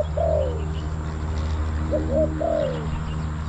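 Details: Spotted dove calling to wild doves at a decoy trapping spot in Bang Li, Thailand: a long descending coo, a pause, then a quick rising double coo and another long falling coo, with low background drone.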